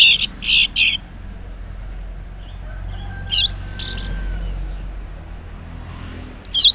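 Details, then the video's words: Orange-headed thrush singing ngeplong in the morning, meant to coax quiet males into answering: sparse bursts of rich, buzzy twisting phrases a few seconds apart over a soft low background hum. "Cocok Buat Pancingan ANIS MERAH Ngeplong di Waktu Pagi Hari Yang Macet yang Bisu Kalo Jantan Nyaut.."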